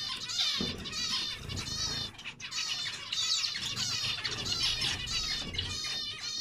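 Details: Several zebra finches calling together, a steady stream of buzzy, nasal, stacked-tone notes, with a short quieter gap near two seconds before the chatter resumes.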